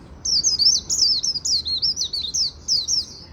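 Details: Afternoon 'líu' singing by a Japanese white-eye: an unbroken stream of quick, piercing zigzag notes, about three per second, with no other sounds.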